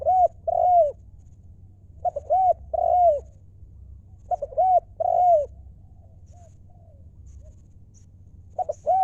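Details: A spotted dove gives its 'lio' cooing several times: short stuttered notes leading into two long, rounded, falling coos. Brief faint notes fill the gaps, and a steady low hum runs underneath.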